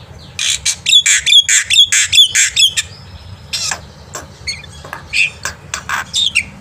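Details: Energetic morning singing of a black-winged myna, a tutor for young birds: a fast series of about ten harsh, buzzy notes with a whistled edge, then sparser squawks and short high whistles.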